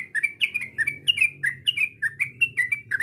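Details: Sooty-headed bulbul call for provoking a rival: a short run of bright, whistled chirps, each with a quick rise and fall, repeated a little under twice a second.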